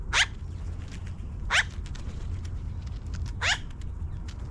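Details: Magpies coming down from a tree give three harsh, descending harmonic calls spaced roughly one and a half to two seconds apart, over a constant low-frequency hum.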